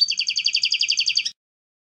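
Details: European goldfinch, clean song: a single rapid, even trill of about a dozen ringing double notes lasting just over a second, then silence.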